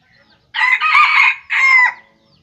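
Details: Red junglefowl, Aceh, luring: one clipped, harsh crow of two bursts, a long ragged first part and then a shorter second, against a silent background.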